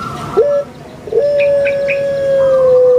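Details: Caged Barbary dove, called puter pelung in Indonesia, sings a short rising note, then a long, level, droning coo held nearly two seconds that slowly falls, while small birds chirp softly in the background.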